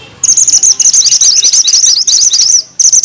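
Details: Grey bushchat singing with vigour in a dense rolling style with sharp notes: a nearly continuous run of rapid, high, thin chirps and trills lasting almost three seconds, a brief pause, then the phrase resumes.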